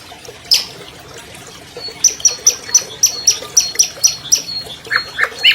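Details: An albino long-tailed shrike, a 2020 champion bird, sings to lure silent shrikes: a lone sharp note, a pause, then a fast, evenly spaced series of high, thin ticking whistles with a few lower rasps.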